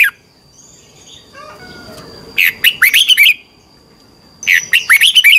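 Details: Red-whiskered bulbul competition song recorded for training birds, morning 'twisted voice' style. After faint high whistles, two emphatic warbling phrases of rapid looping notes about two seconds apart, over a steady thin high tone.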